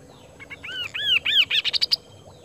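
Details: Kaso-kaso bird singing actively, a burst of arched, slurred whistles that speed up into a quick series of rising, sharper notes, lasting about one and a half seconds, with a faint low hum behind.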